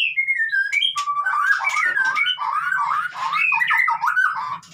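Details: Fast, rich white-rumped shama song played to get a silent bird singing: descending whistled notes open into a dense tumble of slurred whistles, chatters and buzzy squawks, continuous and loud throughout.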